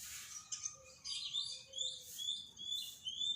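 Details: Bornean white-rumped shama in a daily training recording meant to restart a shama that has stopped singing: a busy run of high chirps, twitters and short whistled phrases tumbling over each other, with a faint low rumble beneath.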